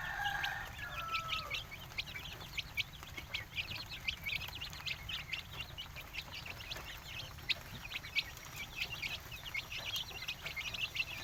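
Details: Village chickens in Indonesia: a dense, continuous chorus of short, high peeping chirps from several birds, with a brief lower sound at the start and a steady low hum underneath.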